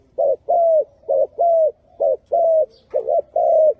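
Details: Spotted dove singing a series of mellow, low coos, brief notes paired with longer sustained ones, eight notes at an uneven rhythm, little other sound present.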